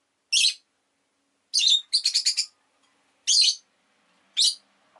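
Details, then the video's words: Shrill, raspy chirps from a pet rosy-faced lovebird: single loud notes separated by pauses, plus one rapid run of five clipped chirps in a row. "Lovebird Chirping Sounds"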